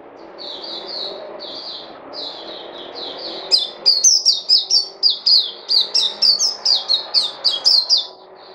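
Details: ['A songbird sings a run of short, slurred high chirps. The notes come softer at first, then louder and sharper, repeated about every third of a second, with a faint low background hum.']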